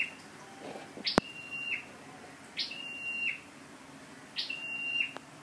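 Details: Scarlet-backed flowerpecker used as a lure bird, 12/10/14: three sharp high calls with flat whistled tails, spaced nearly two seconds apart, plus a loud click near the start and low background hum.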